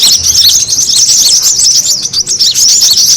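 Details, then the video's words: Brown-throated sunbird calling in a noisy lure track for attracting birds: rapid, overlapping thin chirps and squeaky twitters pour out without a break. "SUARA PIKAT KORLAP RIBUT AMPUH BURUNG SEKEBON AUTO NGUMPUL"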